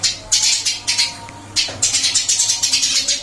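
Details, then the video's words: Caged Eurasian tree sparrow in its new cage giving a fast train of harsh chirps, about seven evenly spaced notes toward the end after a few looser calls, with a low hum in the background. "Burung gereja pindah sangkar Alhamdulillah tetap gacor"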